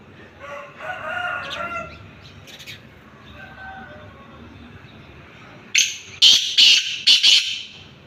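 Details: Black francolin calling near Khushab: after soft, faint notes, a loud burst of harsh, grating, broadband call notes arrives near the end, five rasping syllables in quick succession.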